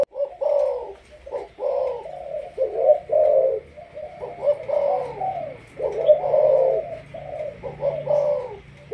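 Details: Spotted dove of Malaysian stock kept as a decoy bird, producing repeated deep coo phrases, clipped notes leading into longer rolling ones, over a faint steady background tone.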